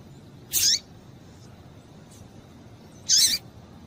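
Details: Female Double-collared seedeater calling so that males grow excited: two loud, high, buzzy chips about two and a half seconds apart, the second with a falling slur, and faint soft notes between.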